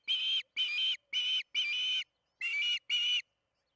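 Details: Osprey calling during the second evening feeding at the Charlo nest, June 21, 2019, 8:15 pm MDT: six drawn-out whistled calls of similar pitch, each roughly a third to half a second long, with a short gap after the fourth.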